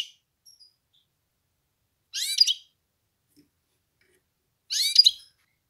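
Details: European goldfinch of the Belgian type, kept as a cage bird, giving two short bursts of bright, liquid twittering about two and a half seconds apart, with near silence between them.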